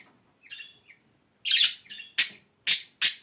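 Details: Budgerigar giving soft warbled chirps that build into several sharp, loud, evenly spaced squawks in the final second and a half.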